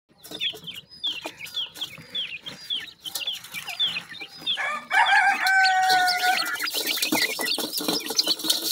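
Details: Mikado pheasant chicks feeding alongside their mother in sunshine, giving rapid high, down-slurred peeps over and over; midway a steady tonal whine with a lower parallel tone cuts in among the chirping.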